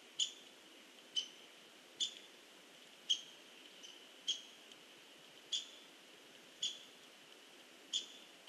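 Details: Hairy woodpecker at a tree, recorded 16 November 2015: sharp, high single notes, each a clean, piercing click-like note, repeated roughly once a second about nine times over a soft, steady background hiss.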